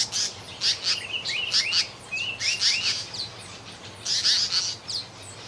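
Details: An African paradise flycatcher, singing and breeding in the campsite at Etosha Safari Lodge, gives high, buzzy chips and quick rising slurred notes in short irregular bursts, with a louder chattering phrase near the end; African paradise flycatcher.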